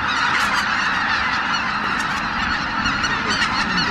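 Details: A huge flock of over 83,000 greater white-fronted geese leaving their roost at Miyajimanuma, Japan, in early morning after 4 a.m. on 23 April 2017 in poor weather, giving a dense continuous wall of overlapping yelping honks, no single voice standing out.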